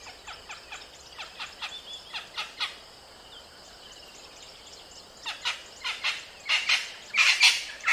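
A crested francolin gives harsh, grating notes in a series. They pause midway, then return louder and faster toward the end.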